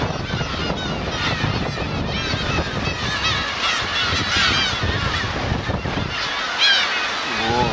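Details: Black-tailed gulls (Larus crassirostris), adults with chicks, at Kurosaki coast on Teuri Island, Hokkaido, on 13 June 2021. They keep up a dense chorus of overlapping nasal mewing calls over low wind rumble and murmuring voices.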